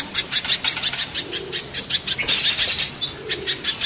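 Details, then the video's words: Spiderhunter (mountain or banana spiderhunter) gives a fast run of sharp, high chipping notes, about three a second, broken by a brief bright trill partway through. "Raja kasarnya kolibri pijantung gunung vs pijantung pisang"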